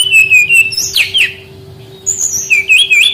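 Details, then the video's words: Brown-chested jungle flycatcher song used as a lure for young wild-caught birds that sing little. Bright, high whistled phrases with wavering, sliding notes come in two bursts around a short pause, over a steady low electrical hum. "SUARA BURUNG SRDC PANCINGAN PANGGILAN SRDC BAHAN MUDA HUTAN MALAS BUNYI"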